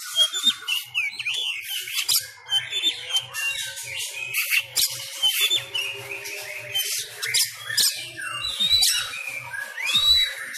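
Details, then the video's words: Sumatran Oriental magpie-robin (kacer) in fighting-style song, trained at home during the Covid-19 lockdown while contests are closed; a dense, rapid stream of varied squawky notes, sharp chirps and high whistles with almost no pauses. "Gaya tarung Kacer kacer sumatra"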